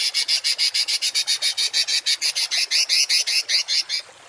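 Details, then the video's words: Harsh 'tembakan' song of a songbird, recorded as masteran tutoring for kept birds. About twenty high, grating, buzzy pulses follow in quick regular succession, then stop abruptly, leaving quiet. "MASTERAN BURUNG TEMBAKAN KASAR || Suara Masteran kasar langganan juara"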